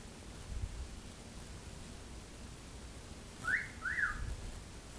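A cockatiel imitates human speech with two quick whistled syllables, like "whatcha doin?"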